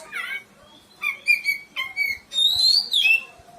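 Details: Caged oriental magpie-robin, a reluctant singer being prompted to sing, giving short varied whistled phrases in bursts, some sliding down, a high rising-falling note near the end, pauses between phrases.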